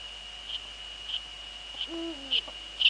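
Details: Netherlands, 2 February 2013, 19:15, Eurasian eagle-owls with the female on the nest and the male near: a deep harmonic hoot sliding lower at its close, with soft periodic clicks before and after and a steady hum.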